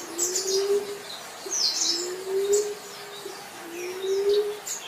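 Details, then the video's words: Three drawn-out, mellow whistles from a green pigeon, each climbing a little in pitch, evenly spaced, while other small birds chirp sharply and high in the background. "Kampodu Moro, Burung punai"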